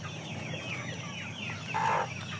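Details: Chickens of aseel, shamo and Saigon ganoi breeds sound high, sliding peeps in quick succession, followed by a louder sustained whistle-like note near the end, over a continuous low hum.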